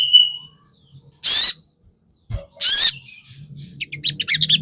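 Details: Crested jay (sogon) in a lure recording used to provoke rival birds. It gives two loud, grating screeches about a second apart, then a fast dry rattling chatter builds at the end over faint low rumble.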